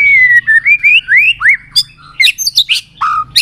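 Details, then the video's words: White-rumped shama singing a varied song, used to rouse other shamas to sing and flick their tails: a run of clear whistled notes that step and slur upward, then sharp high chips and a falling whistle. "Kích Chòe lửa Lên Lửa, hót nhiều, chòe lửa đánh đuôi kích cực nhạy.luyện chòe lửa hót nhiều giọng"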